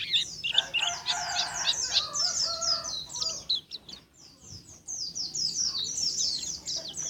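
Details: Jetboy-style champion pleci (Oriental white-eye) from Karawang keeps up a busy, high twittering of fast downward-slurred chirps, with a rougher lower chattering sound near the start.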